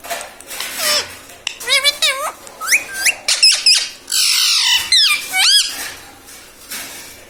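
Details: Household talking parrot, said to say "mummy papa", produces a busy run of short squeaky voiced syllables with quick pitch bends, some rapid and stuttering, mixed with scraping noises and a brief airy rush.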